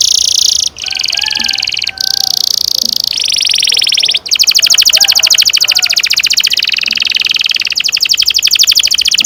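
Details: Canary singing a long rolling song, played to train young canaries; high continuous trills broken by brief gaps, shifting into a very fast pulsed roll, with faint lower whistled notes beneath.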